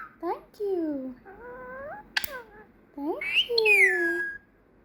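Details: Trained female pet parrot that has learned Peekaboo, Thank You, Muah and whistling. Voice-like harmonic syllables glide down, then level and rise, with a sharp click midway. A rising whistle ends in a long, bright, falling note.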